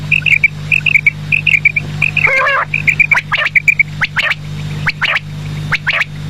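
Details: Quail calling in the evening: clusters of short, clipped high notes in pairs and triplets, one brief harmonic squawk, then sharp rising chirps and sweeps repeated over several seconds, with a steady low electrical hum beneath.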